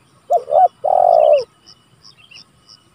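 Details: Calling spotted dove, a lure and training recording for rivals: a quick double coo then one long, level, slightly descending coo, followed by scattered faint high chirps from other birds.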